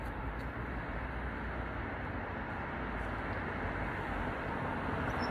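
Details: Steady broadband city rumble like road traffic fills the whole recording, with no clear animal voice standing out.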